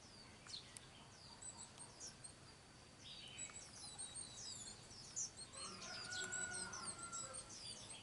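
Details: White-eye parents bringing food to their chicks. Thin, high twittering chirps repeat about twice a second, joined later by a longer, lower whistled tone and a steady insect whine.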